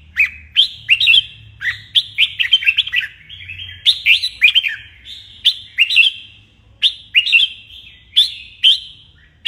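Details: Morning song of a trained red-whiskered bulbul: lively whistled phrases of fast warbling notes, repeated roughly every second or two, some notes clipped and bright.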